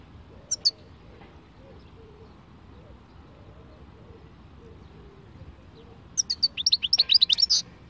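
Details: Khalwi-style song of a European goldfinch. Two thin high notes come early, then after a long hush a quick, bright, liquid twittering phrase runs for about a second and a half.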